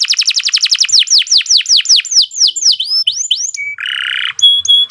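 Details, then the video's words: Canary song meant as a model for other birds: a rapid trill of downslurred chirps that slows into broad swooping whistles, then a short harsh buzz and a couple of pure high notes. "Kicau Burung Kenari II GACOR PANJANG Cocok untuk Masteran"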